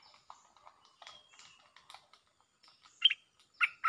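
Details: Streak-eared Bulbul Jao Bank lure song: soft twittering and chatter from other small birds fill the first three seconds before three loud ringing chirps burst out near the end.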